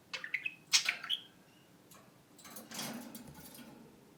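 A budgerigar gives a quick run of high, chirpy whistles and clicks in its imitation of a phone ring, followed by a soft, breathy rasp.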